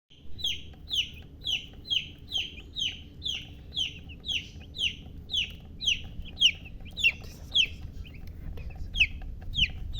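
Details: Baby chicks chirping. Loud, clear, high peeps that drop in pitch, repeated steadily about twice a second, with a few overlapping callers near the end over a low, steady background hum.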